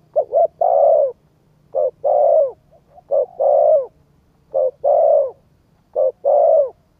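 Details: Spotted dove cooing meant to stimulate a decoy bird; each phrase opens with one or two short soft notes and closes on a longer mellow coo, repeated five times at an even pace.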